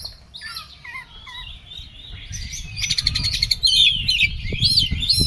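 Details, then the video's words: Oriental magpie-robin in an agitated, emotional state, giving a rich, varied song: looping whistled notes early on, then a dense buzzy rattle and twisting high phrases that grow louder toward the end, over low background rumble. "KACER EMOSI KONSLET"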